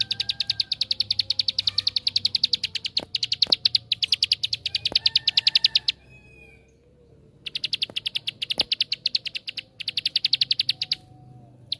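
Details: Bar-winged prinia pouring out 'tembakan' (shooting) song to lure other prinias into singing: long, dense runs of rapid high chipping, a silent pause near the middle, then further bursts, with occasional clicks.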